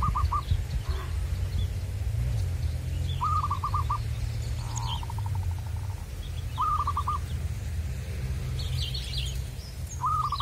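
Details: Zebra dove calling outdoors in the wild, recorded by a bird-trapping enthusiast: several short bursts of quick, clipped coos spaced a few seconds apart, with scattered high twitters of other birds and a low hum.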